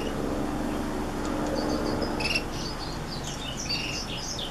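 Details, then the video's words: Hybrid of black-throated and Reichenow's seedeaters giving quick, high chirps and thin slurred whistles in a loose, rapid sequence, with low background rumble throughout. "Black throated X Reichenow's seedeater hybrid"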